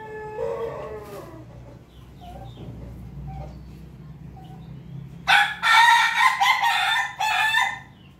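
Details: Rooster crowing in Jogja, Indonesia, described as Pelung, laughing chicken and Bangkok crossbreed: a faint short call near the start, a quiet stretch, then a loud, harsh, choppy crow broken into several bursts near the end.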